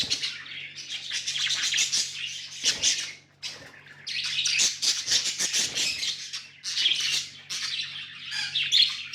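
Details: Budgerigars kept as tame pets, a flock warbling and chirping almost continuously, scratchy high chatter with a brief lull in the middle, some wing flutter and a low steady hum.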